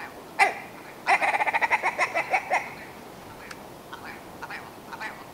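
Willow ptarmigan: one harsh nasal note, then a quick run of about ten barking, quacking notes over a second and a half, followed by fainter scattered calls.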